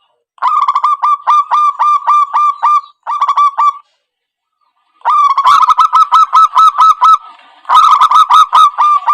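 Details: Zebra dove call used as a trapping lure, Indonesia: quick bursts of clipped, evenly spaced cooing notes on one pitch. The bursts are grouped into phrases with short silent gaps between them.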